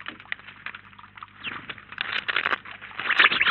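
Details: House sparrows gathered in a flock at a feeder in Collado Villalba; soft, scattered chirps at first build into louder, quicker chattering toward the end.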